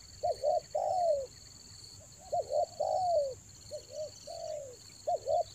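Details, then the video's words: Spotted dove lure call from Toba, used for trapping doves during the rainy season: paired quick coos, each followed by a longer sliding, descending note, repeated in regular phrases over a constant high-pitched whine. "TEKUKUR PIKAT RAJA ANGGUK"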